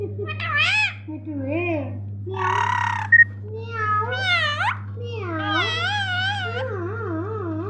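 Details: Talking pet ringneck parakeet giving drawn-out, meow-like wavering notes, a rasping burst, and rising-then-falling speech-like sounds, nearly continuous over a constant low electrical hum indoors.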